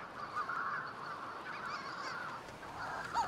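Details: Manx shearwater, a small seabird breeding in burrows in the Hebrides, Scotland, giving a harsh, raucous, crowing cackle that rises and falls without pause, with a hoarse rasping edge and a sharper note at the end.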